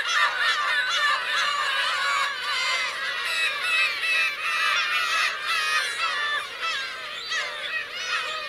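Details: Black-tailed gull parents and chicks calling on the Kurosaki coast of Teuri Island, Japan, in June 2021, a crowded tangle of harsh, drawn-out mews from many birds, steady throughout.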